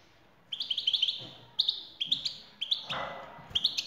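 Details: Female European goldfinch calls used to set a male singing: sudden clusters of ringing, rising tweets every half second or so, with a soft rustle between.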